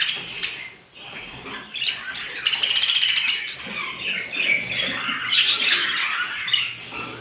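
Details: Flock of small birds at morning, producing continuous tangled chirping with bright squeaky notes rising in intensity midway, plus a few sharp clicks.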